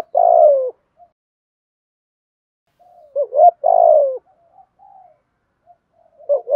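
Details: Spotted doves, male and female, giving training coos to spur other doves to call; a long falling coo opens, a gap of quiet, then a rising note and another drawn-out low coo, soft murmurs in between.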